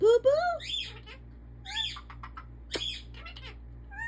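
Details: A pet African ringneck parakeet speaking indoors: a loud rising whistled opening, then raspy, human-like syllables recurring every second or so, with a sharp click and low room hum.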